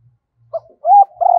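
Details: Decoy spotted dove calling and cooing to lure wild doves: a brief low note, then a smooth, slightly rising coo, then a steady held coo that is cut off abruptly; no other sounds.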